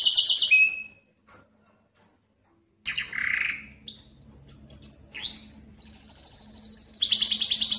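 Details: Belgian canary song to stimulate hens for breeding: a high trill ending in a short whistle, a silent pause, then varied slurred notes, upward sweeps and a sustained high, rapidly pulsing trill.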